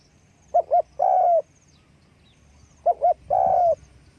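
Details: Spotted dove giving its call while flapping its wings, two phrases about two seconds apart, each a pair of quick soft coos then a drawn-out level croo.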